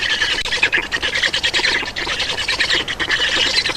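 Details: Black stork chicks at an Estonian nest begging during feeding and a parent change, 31 May 2019, 11:48; loud, continuous harsh squawking chatter in fast pulsing bursts throughout, with no gaps.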